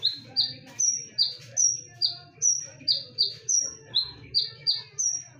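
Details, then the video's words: Sharp, loud konin lure song in full 'tembakan' style: quick regular whistles, roughly two or three per second, alternating a piercing high note with a lower slurred one over faint low hum. "KONIN GACOR FULL TEMBAKAN / SUARA TAJAM DAN NYARING / BERANI DENGARKAN SUARA PANCINGAN KONIN INI??"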